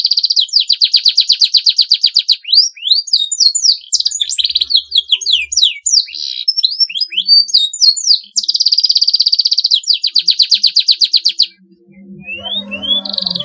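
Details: Long canary song intended to make rival birds join in: fast rolling trills alternate with quick downslurred whistles and a dense buzzy trill, then a brief pause with faint low background noise.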